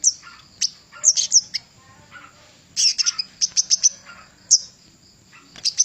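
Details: Javan cochoa song used as a master for training songbirds: scattered high sharp chirps and short tweeted clusters, with some lower soft notes between them.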